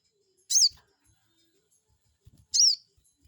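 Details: Crested jay lure sound to anger an opponent into answering: two strong, shrill chirps two seconds apart, each ending in a downward-sliding tail.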